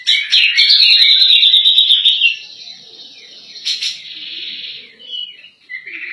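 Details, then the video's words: Grey-cheeked bulbul in energetic 'gacor nembak' song meant as a master for other birds: two seconds of loud, fast, shrill rattling chatter, then a crisp burst and softer fading high notes. "Cak Jenggot Gacor Nembak Cocok Buat Masteran"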